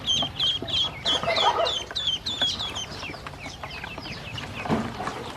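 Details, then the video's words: A group of hungry domestic ducklings at feeding time, with loud high peeps in quick downward-slurred runs early on, then softer scattered peeps and tapping. "Hungry baby ducks"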